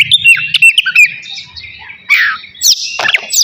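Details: Navy-type oriental magpie-robin in a cage, singing prior to a bath: a run of quick whistled notes, then a pause and rough, noisy bursts, with a faint low hum in the background.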